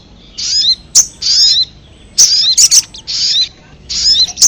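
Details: Ruby-cheeked sunbird lure call, for attracting wild birds: three short phrases of high squeaky twitters with sharp clicks, separated by near-silent pauses of about a second.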